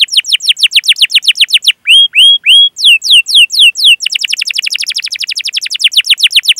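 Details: Young canaries are lured to sing with this canary song: rows of rapid descending chips, three rising whistled notes, slower swooping slurs, then a fast even rattle of repeated notes.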